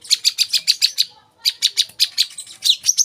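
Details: High, sharp chirps from an olive-backed sunbird, repeated about six times a second in two rows split by a short gap, ending in a few upward-flicked notes.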